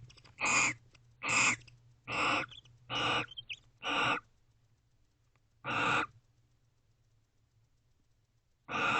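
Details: At 3:19 am on 29 November 2023, two wild barn owls stay together inside a nest box and touch bills. Seven rasping, breathy screeches sound roughly once a second, then a long pause before another starts.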